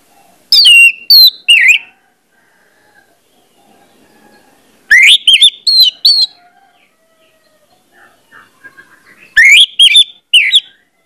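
Orange-headed thrush singing loud, rich whistled phrases in three bursts about four seconds apart, each a quick run of rising and falling notes, with soft quieter calls between.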